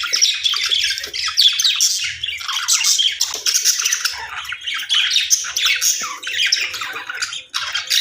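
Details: Constant budgie chatter in an aviary: many high, scratchy warbles and squeaks follow one another in a continuous stream.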